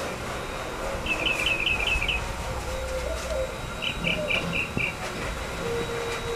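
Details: Alarm call of a Tropical mockingbird heard in the morning in Corozal, Belize: a quick series of sharp repeated notes, then a slower run of five rounder notes, fairly soft against steady low rumble.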